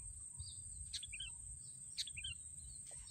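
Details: Sooty-headed bulbul, recorded during trapping with racik, calling twice in brief chirped phrases, a sharp descending note followed by small twittering notes, against steady high hiss and low murmuring noise.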